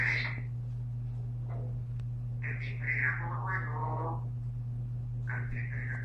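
A female eclectus parrot chatters in three short, speech-like bursts with a raspy, voice-like tone, over a steady low electrical hum.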